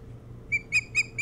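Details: Nesting Osprey on Hog Island near Bremen, Maine, recorded by a nest camera in the early hours of 3 July 2018; four loud, clear whistled chirps, each slightly downslurred, coming about every fifth of a second over low background hum.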